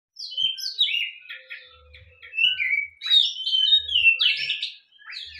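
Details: Oriental magpie-robin, a kept bird set out to sunbathe for health and to sing well: varied clear whistled phrases, some sliding downward, others buzzy and rich, delivered in bursts with short pauses.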